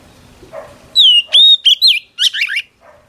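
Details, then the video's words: Female Oriental magpie-robin voicing song to rouse a male: long downslurred and level whistles, short twisting notes, then a harsh buzzy chatter, with faint low sounds before and after. "Chòe than mái HUÝT KÈM THÚC TRỐNG kích trống căng lửa"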